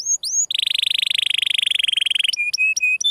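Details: Canary song: a few high whistled notes, then a long fast buzzy trill of rapidly repeated notes lasting nearly two seconds, followed by short clipped notes and steady whistled tones; clean recording with no other sounds.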